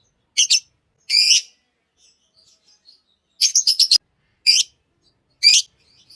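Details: Harsh, high chirps from a green Fischer's lovebird come in short clusters, one a quick run of four scratchy notes, with soft faint twitters in the gaps.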